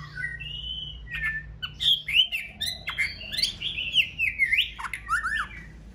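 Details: A female white-rumped shama sings to rouse a male as breeding season approaches after her moult. The song is a dense, continuous run of varied whistles mixed with quick chirps and clicks, loud and lively throughout.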